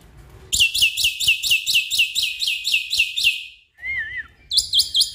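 Black-winged myna: a fast run of high, harsh chirps, four or five a second, then a short wavering whistle and more chirping.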